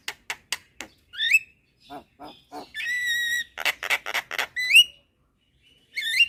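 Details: Javan myna, a young bird calling its companions in the daytime, with other mynas answering; sharp clicks, upslurred whistles, a sustained nasal buzzy note and a burst of harsh rasping calls.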